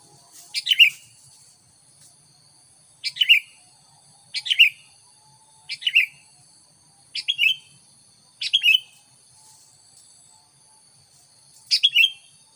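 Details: Sooty-headed bulbul song played to lure wild bulbuls: loud, clear three-note chirping phrases with a downward slur, repeated every one to two seconds, a steady faint high tone underneath.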